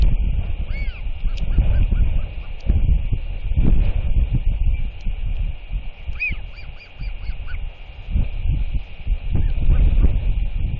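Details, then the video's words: Royal Albatross chick, 121 days old, wheeing and calling to a neighbour parent at its nest, hoping to be fed; scattered thin arched whistles in two clusters near the start and middle, over strong continuous wind. "Begs Parent LKL But Gets A Clack Instead"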